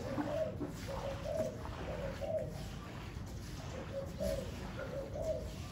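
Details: On a very windy day, a spotted dove gives repeated mellow, low coo phrases of two or three hollow notes roughly every second. Strong wind noise runs constantly beneath the calls.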